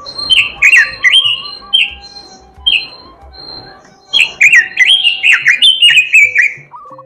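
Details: Oriental magpie-robin song: slurred whistles over a soft rolling trill, a lull, then a rapid, dense string of loud varied whistles and clicks, ending with a lower note.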